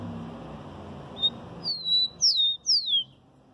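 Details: Rufous-collared Sparrow song from Brazil: a few clear whistled notes, a short high note followed by three loud slurred whistles that slide downward, after a stretch of low room noise.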